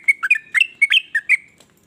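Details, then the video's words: Trucukan (yellow-vented bulbul) with varied song styles, said to make other bulbuls jealous so they join in singing; a quick burst of about seven bubbly, chirping notes, some rising and some falling, over a second and a half, then quiet. "ber macam" suara trucukan ini bikin trucuk lain iri jadi langsung ikut bunyi"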